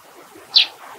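A Eurasian tree sparrow gives one short, bright chirp, high-pitched and over in a blink, against a faint background hiss.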